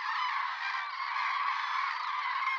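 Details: A wintering flock of common cranes (Grus grus) in Spain gives loud, rolling, trumpeting calls that overlap into a steady, unbroken chorus. The flocks arrive from central and northern Europe in October–November.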